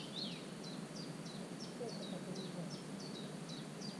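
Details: Common cuckoo nestling in a marsh warbler's nest on 27 June, GoPro 5 recording: a regular series of short, high, downward-sliding cheeps, roughly three per second, over faint background hiss.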